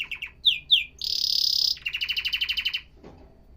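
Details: Canary song, said to encourage males to sing: quick notes and two sharp descending whistles, a loud sustained buzzy tone, then an even rolling trill that fades out.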